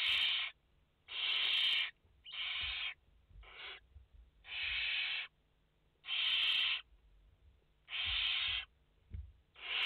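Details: Barn owl chicks, five young in a nest, giving repeated harsh broadband hissing screeches, each about half a second long, in irregular succession with brief quiet gaps between.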